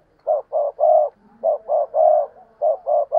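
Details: Spotted dove decoy cooing to lure wild birds: phrases of two short coos and a longer one, repeated three times about every second and a quarter, throaty and mid-pitched.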